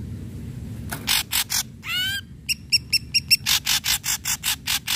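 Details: Ashy Drongo singing to stimulate other drongos: a few harsh rasps, a rising harmonic whistle, a brisk run of clipped ringing notes, then a steady train of buzzy bursts about twice per second.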